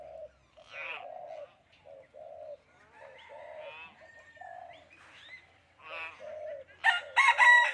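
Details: Common hill myna speaking human language, giving a run of short voice-like phrases with a few clear whistled notes, ending in a loud harsh burst; a person speaks nearby.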